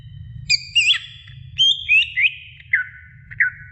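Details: Greater green leafbird song for training other birds: well-spaced clear whistled notes, some rising and hooked, some dropping slurs, in a slow, deliberate sequence over a low background hum.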